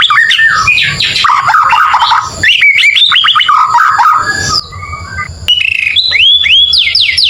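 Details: White-rumped shama song used as training fill to rile neighbours' birds: rapid varied phrases of clear whistles, slurred notes and quick trills, with abrupt breaks between bursts and a low hum underneath.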